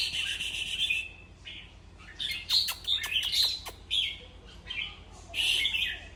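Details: Song of a red-whiskered bulbul, used to rouse other bulbuls: warbled whistled notes in quick bursts, several sharp clicks in the middle, ending on a fuller chirping phrase over a steady low hum.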